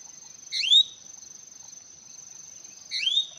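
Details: Hwamei song notes: a pair of loud, rising whistled slurs about two and a half seconds apart, over a constant shrill insect hum in the background.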